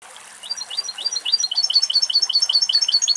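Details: European goldfinch singing in the wild somewhere in Greek nature while searching for food; rapid twittering phrases of high, tinkling notes, repeated quickly and building in loudness over a few seconds.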